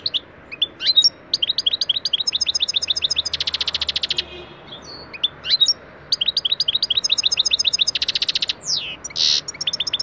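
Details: European goldfinch (Carduelis carduelis) song used as a training lesson for other goldfinches: a fast, tinkling run of high twitters, liquid trills and buzzy notes, with brief rasping churrs between phrases.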